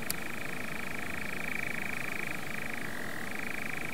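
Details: A European nightjar's steady purring trill on Norfolk heathland, rapid and machine-like, dipping to a lower tone briefly before returning higher; a click at the start and low background rumble.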